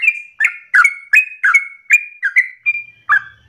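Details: A loud, insistent yellow-vented bulbul pours out its long-breathed rolled song, a model for trainee bulbuls to copy: a run of about nine sharp whistled phrases, some dropping in pitch, ending with a brief pause.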